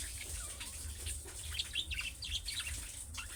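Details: Budgerigar chirping in the calling style of young birds that other budgerigars answer; rapid high twittering chirps run continuously over a hissing, water-like background.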